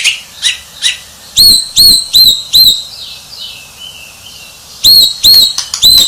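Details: White-rumped shama described as a champion: clear high whistled notes with ringing overtones, delivered in quick groups of three to four, separated by a soft pause.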